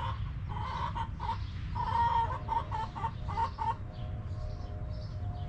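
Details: Hens in a backyard coop give a series of clucks that swell into longer, drawn-out nasal notes midway, then fade to softer clucking over a steady low background rumble.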